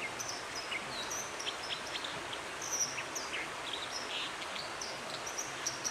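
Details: White-throated dippers singing in Dovedale in October: a scratchy, high-pitched warbling song of short, scattered notes, nearly drowned out by the steady roar of rushing water.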